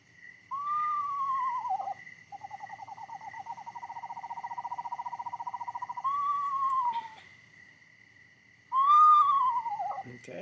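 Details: Eastern Screech-Owl, a small owl common in Wisconsin, gives its two-part song: quavering, descending whinnies around a long, even, monotone trill lasting about four seconds, over a steady faint high whine.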